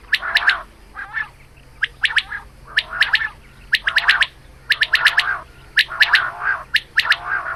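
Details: Morning calls of a female quail, given as quick bursts of bright, clipped chirps over a nasal undertone, one burst roughly every second, a faint electrical hum running underneath.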